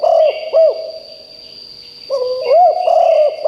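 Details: Powerful rolling coos of a decoy spotted dove luring wild doves: two low notes, a pause of over a second, then a longer bouncing phrase, against faint chirps and a continuous high tone.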